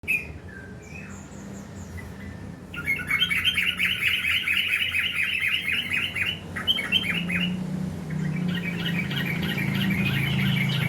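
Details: Sooty-headed bulbul of the garuda type produces bursts of fast, harsh, repeated notes in rattling runs, pausing between series, over a steady low hum.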